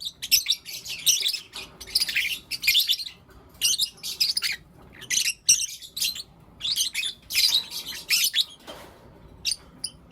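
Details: Pet lovebirds in blue opaline and lutino opaline colours chirping and calling in the morning: long bouts of loud, shrill, scratchy chatter broken by short pauses, continuing throughout.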